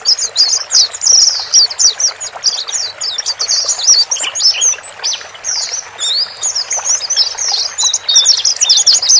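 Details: Male and female white-eyes calling to help a freshly bought bird adapt to caged life; a busy stream of thin, high chirps and twitters, several overlapping callers, a brief pause mid-way, steady hiss underneath.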